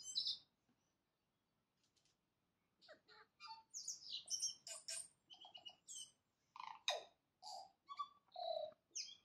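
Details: A tui at dawn opens with one high note, goes quiet, then launches into a long string of bell-like whistles, clicks and gurgling low tones, each phrase short and distinct.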